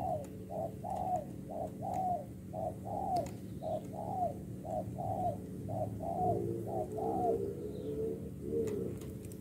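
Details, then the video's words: Spotted dove, a wild-caught bird used for decoy luring, giving a steady series of short, soft, slightly falling cooing notes, about fifteen in nine seconds, over a constant low hum. "GÁC CU GÁY .BỔI ĐỒNG PHA .QUÁ ĐẸP"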